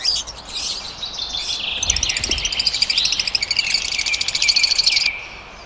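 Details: Pet lovebirds in blue opaline and parblue opaline colours, Pakistan, chattering in a continuous shrill twitter of fast, high chips that builds in intensity and cuts off near the end.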